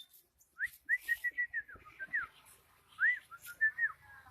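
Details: Pretty bird singing a string of clear whistled notes, short upward-curving slurs and level piping tones repeated in quick bursts, pausing briefly midway, with a quiet background.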